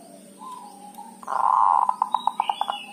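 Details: Local Javanese zebra dove kerot call, used as a lure to make other doves call: a rough buzzy burst followed by about eight evenly spaced short coo pulses, other birds faintly whistling in the background.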